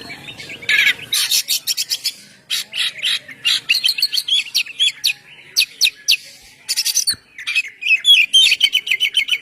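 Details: Oriental magpie-robin in full ngeplong song, used for luring birds: dense harsh buzzing and scratchy notes delivered in rapid bursts, about four a second, with brief whistled flourishes near the end.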